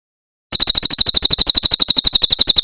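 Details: Javan prinia giving a 'tembakan' style song from Cililin, used as a tutor recording for caged birds: after a brief silence, a fast, steady run of high, sharp chirps repeats about six times a second, clean and loud.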